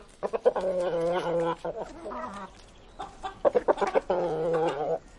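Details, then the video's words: Chickens eating, giving drawn-out, nasal clucking calls in two bursts separated by a short pause, with sharp clicks and pecking-like taps mixed in. "Chickens eating"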